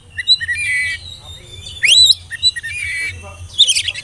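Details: Young spotted oriental magpie-robin whistling as a lure to get young birds singing: a rising sweeping whistle, brief chirps and a buzzy high flourish near the end, over a low droning hum.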